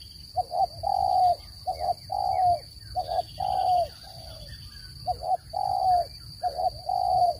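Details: Cooing of a spotted dove, as used for bird trapping, recorded clean: repeated phrases of two short low coos then a longer sliding coo, about a second apart, over soft chirping and a constant high-pitched hum.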